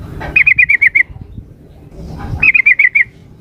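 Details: Female sooty-headed bulbul calling the male: two bursts of six or seven quick, bright chattering notes, each burst lasting about half a second, separated by a pause of over a second with faint low background rumble.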